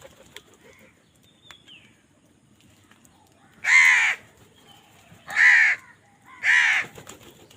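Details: A crow squabbling over food gives three harsh, drawn-out caws in the second half, after a quiet start with faint bird chirps.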